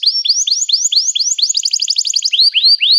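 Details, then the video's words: A canary sings high, clipped, rising-then-level notes about four per second. They run into a fast rattling trill, then slow back to single sweeping notes. "este encantador som de canário"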